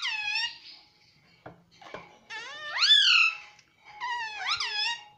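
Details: Pet Indian ringneck (rose-ringed) parakeet, which mimics "mummy", giving three nasal, harsh, voice-like phrases that swoop up and down in pitch, with a couple of soft knocks in the pauses.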